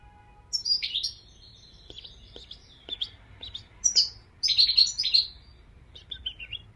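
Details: A European goldfinch sings a descending slurred twitter, softer thin notes, and then a burst of bright, fast, tinkling twittering. Faint high notes trail off at the end.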